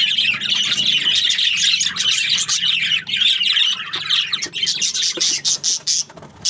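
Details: Breeding pairs of budgerigars in an aviary chirp together in a dense, busy chorus of high scratchy twitters and squawks, thinning out near the end into separate sharp chirps with short gaps.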